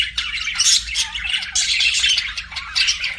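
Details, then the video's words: Budgerigars, kept as pets, chattering in a busy flock warble, harsh buzzy squawks mixed with quick high chirps running almost nonstop with brief dips. "BUDGIES SINGING & CHIRPING"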